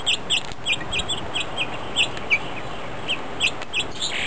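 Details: Grosbeaks feeding as a group on 1 January 2010, New Year's Day: a busy stream of short, ringing chirps from several birds, coming every quarter to half second and sometimes overlapping, against a constant low hiss.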